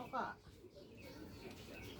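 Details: A 7-year-old talking common hill myna in Bandarban, Bangladesh, which talks fluently, gives one brief voice-like syllable, a throaty word with a clear human tone, then falls quiet over a faint room hum.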